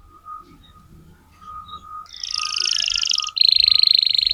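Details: Canary song for tutoring young canaries: faint background sounds, then a bright buzzy trill begins midway and shifts to a sharper, rapid pulsed trill.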